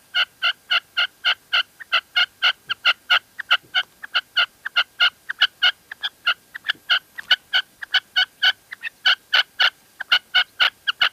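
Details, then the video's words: Loud, insistent calling by a female red-legged partridge in La Mancha, Spain: dense runs of short sharp notes, about four per second, over eleven seconds with brief gaps. "Reclamo de perdiz hembra en la mancha"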